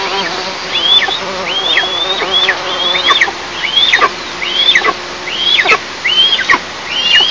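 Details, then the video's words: Eastern imperial eagles at their nest, filmed by a nest camera in an oil and gas district on 11 July 2024 at 09:14: high, hooked calls with sliding tails, repeated roughly every second, over faint background hiss. "Eastern imperial eagles Altyn&Nova"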